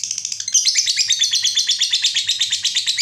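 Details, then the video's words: Lovebird 'ngekek panjang' long trill used to get other lovebirds singing: a continuous, very rapid, buzzy high-pitched rattle of pulsed notes throughout. "Berkat Pancingan SUARA BURUNG LOVEBIRD INI, Labetmu dijamin GACOR tak lagi Malas DIAM MEMBISU"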